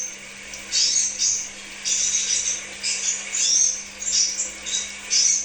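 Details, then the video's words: Crimson sunbird, from a lure recording for kept birds, uttering short, high, squeaky bursts of twittering roughly once a second, separated by brief quiet spells, over a low steady hum. "Therapy Pancingan Kolibri Sepah Raja"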